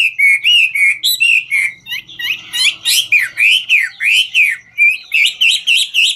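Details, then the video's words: Chinese hwamei singing 'ngũ trường' while dancing: rich, repeated whistled notes at an even pace, several swooping down-slurs in a row, ending with quick, higher chattering phrases; faint low hum beneath. "Họa mi ngũ trường hót múa cực chất"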